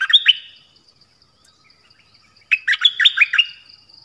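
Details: Dok taeng bird singing many song phrases: a short burst of sharp, downslurred whistles, a pause, then a longer run of bright chirped notes, each falling steeply; a faint steady high tone persists in the background.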